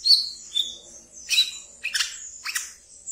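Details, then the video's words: Captive brown-throated sunbird singing ngeriwik, played to coax untamed birds: two thin whistled notes, then three harsh, broadband chattering bursts about half a second apart. "Wiceh Ngeriwik Yang Asyik Untuk Di Pelihara dan bisa untuk Pancingan Terapi Bahan kolibri kelapa"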